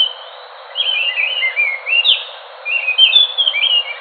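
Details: A thrush, named as the Enggano thrush (Geokichla leucolaema) and also as the Nusa Tenggara 'anis macan', sings clear, sweet whistled phrases of sliding high notes in two short bursts separated by a brief pause.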